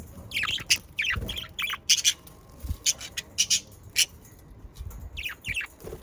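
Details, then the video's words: Australian parakeets (budgerigars), pets from the Den Haag area, Netherlands, chattering busily: rapid scratchy chirps and squawky notes tumbling in quick clusters, interrupted by occasional low thumps, with scarcely a pause across the stretch. "Sounds of Australian parakeets to stimulate your parakeets to sing🐦 Sonidos Para Periquitos"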